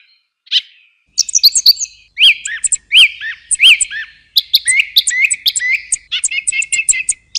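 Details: Song thrush in song, a clear whistled phrase given three times in a row, followed by quick chirps and a run of rapid repeated notes.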